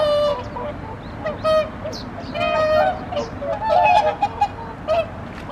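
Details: Wintering whooper swans at a pond in Omitama, Japan, recorded 24 November 2025 after arriving for the season: overlapping bugling honks from several birds, short bursts and longer trumpeted notes, growing busier toward the end.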